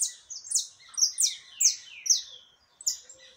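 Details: Saffron finch singing a great deal, 20 October 2021: loud, clear series of sharp, downward-swept high chirps repeated roughly twice a second, one bird dominant close by.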